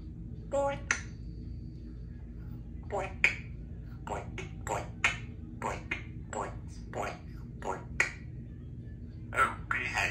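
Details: Symon, a 3-year-old female Congo African grey parrot practising words like "give me a big kiss", mutters short speech-like syllables in separate bursts, with sharp clicks between them, in a quiet room at home.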